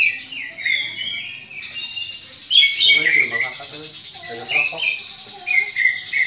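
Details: Greater green leafbird fighting call for training rival leafbirds: quick whistled chirps and slurs throughout, mixed midway with a softer harmonic chattering sound before loud whistles return.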